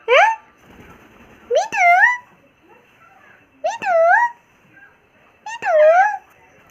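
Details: Indian ringneck parrot at home making funny sounds: three loud, nasal, rising-then-falling squawks spaced nearly two seconds apart, with quiet murmuring between them.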